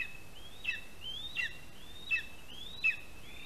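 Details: At a Latvian lesser spotted eagle nest in a spruce, a chick being fed by its father, 12 July 2021, 8:14 AM; four thin whistles that rise then level off, spaced about 0.7 seconds apart, against background hiss.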